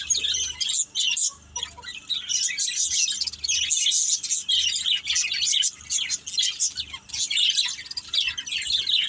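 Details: Several pet budgerigars twittering together indoors, bursts of high chattering chirps separated by brief quiet gaps, building into dense stretches of overlapping warbles.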